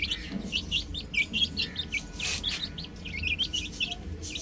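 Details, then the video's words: Chicken chicks on a roof keep up an unbroken stream of thin, high peeps, each sliding downward, overlapping from many birds, with a short noisy rustle midway. "Adorable Chicks Chirping Sounds"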